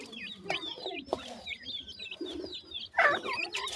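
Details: Baby partridges calling as they feed: clear, high, bouncing chirps in quick runs from several chicks, with a few lower notes and brief tapping sounds.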